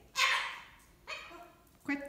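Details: A frustrated pet cockatoo screaming for a household member who can't come play gives three harsh, raspy screams: the first long and loud, then two shorter, lower-pitched cries about a second apart.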